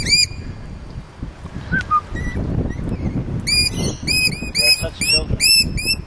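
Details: Lorikeets in Neutral Bay, Sydney: sharp, whistled calls with bright, ringing overtones, a few scattered at first, then a rapid run of repeated notes in the second half, over low background rumble.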